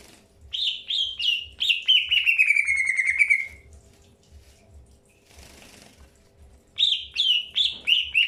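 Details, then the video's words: Greater green leafbird during early pairing, calling in a series of rich downward-sliding whistled notes around mid-high pitch, with a long descending trill, a pause with a brief rustle, then more slurred notes. "PROSES PENJODOHAN AWAL BURUNG CUCAK HIJAU"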